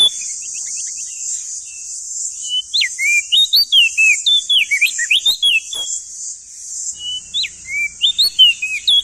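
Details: Long phrase from a male crested white-eye of East Nusa Tenggara, played to train young birds: scattered whistles build into a rapid run of bent, up-and-down notes, a short break, then more swooping whistles over a steady high hiss.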